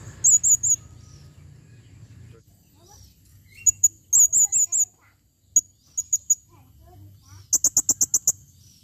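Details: Female blue-crowned hanging parrot calling in bursts of high, thin squeaky chips, grouped in threes and fours, ending with a fast rattling run of sharp clicks; low background hum.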